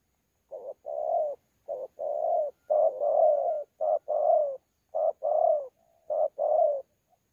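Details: At Sa Thầy on 26 November 2019, a wild-caught spotted dove of the 'thổ pha' type coos in contest. A series of deep rounded coos alternates short and drawn-out notes, with a faint soft hum between two phrases.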